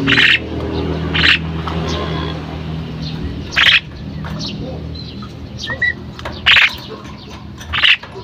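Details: Harsh, broadband squawks from a female common myna come in short bursts at irregular intervals. A few thin chirps and low background noise are heard between the bursts.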